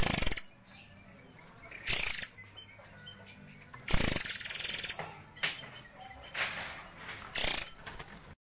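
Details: White-crowned forktail, a judges' favourite used as master song: brief high rattling bursts and one longer buzzy phrase, spread irregularly over quieter stretches.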